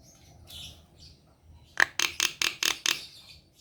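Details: Kept black-winged myna giving song meant to coax sluggish, quiet birds into singing: soft chattering first, then six loud, rasping notes in quick, steady succession.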